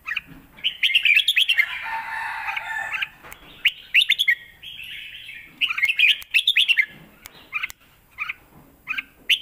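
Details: Red-whiskered bulbul in a cage in Thailand, singing a fierce, complete Lak Wai master song for tutoring young birds: dense runs of bright bubbling whistles, then a string of short sharp chirps repeated about once a second.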